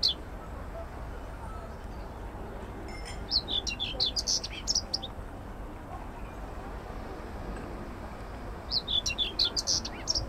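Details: Common whitethroat singing at an allotment garden in Södermalm, Stockholm, Sweden, 25 May 2024: two brief, hurried, scratchy phrases of high jumbled notes several seconds apart against a steady urban rumble.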